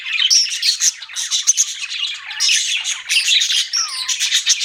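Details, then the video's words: Budgies in full chatter, fast scratchy chirps with piercing whistled squeaks and a short descending note near the end. "BUDGIES CHIRPING SOUND"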